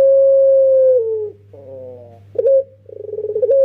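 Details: Young puter pelung, a dove used as a lure, repeats its pattern of a long descending coo, soft rolling notes, a clipped short coo and accelerating pulses that run into another drawn-out coo; low hum underneath.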